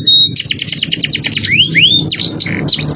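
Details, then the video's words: Canary in a masteran training recording of luxurious 'cengkok mewah' style song: a fast run of high chipped notes, then two smooth rising whistled slurs, followed by sharp downward-swept notes. "Masteran kenary cengkok mewah suara jerih"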